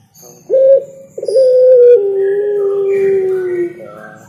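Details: Spotted dove singing: a short hoarse coo, a brief pause, then a long drawn-out cooing phrase that slides gently downward, with faint high chirps from other birds in the background.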